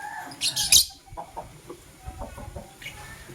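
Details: Lovebirds, blue and green, chirping in the morning with a quick pair of harsh, high squeaky chirps early on, then low soft murmurs and faint ticks.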